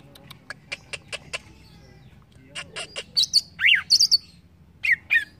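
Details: Soft ticking notes give way to buzzy bursts, a loud swooping whistle and high, sharp chirps from a green leafbird, with a gentle background hum.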